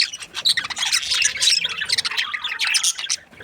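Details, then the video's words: Happy budgies chattering in a steady stream of quick, high, grating chirps and squeaky warbled notes that overlap densely and fade slightly at the close. "Happy budgies chirping sounds"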